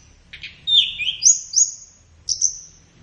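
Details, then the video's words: Short flowerpecker phrase used to train songbirds in the morning or afternoon: a buzzy note, a slurred whistle, then two rising high whistles and a final drawn-out thin whistle. "SUARA BURUNG - Masteran Terbaik Tledekan"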